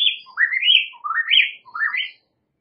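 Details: White-rumped shama singing three clear whistled phrases, each slurring upward from low to high with short pauses between them, in a quiet setting.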